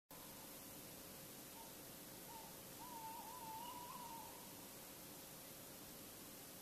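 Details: Tawny owl calling at night in Bergen, North Holland, the Netherlands, 16 February 2016, between 3:43 and 3:48 a.m.; a short soft note, then one long wavering, quavering mid-pitched hoot lasting about a second and a half over steady hiss.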